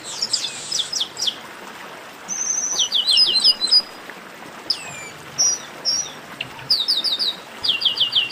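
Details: Several chestnut-capped blackbirds in a lively chorus used to excite singing birds: fast trilled chirp series mixed with high, downslurred whistles and short buzzy notes, overlapping throughout.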